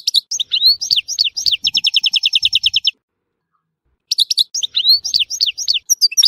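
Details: European goldfinch, Tissemsilt, singing liquid twittering phrases into a long, rapid trill of repeated bright notes, falling silent for about a second before resuming the lively twitter.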